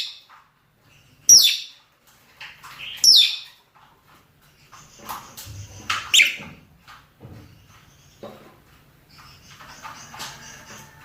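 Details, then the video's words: Male and female rosy-faced and Fischer's lovebirds giving mating calls: two sharp, high screeches early, a pair of shorter harsh notes near the middle, then soft scratchy chatter. "نداءات ذكور وإناث طيور الروز والفيشر من أجل التزاوج"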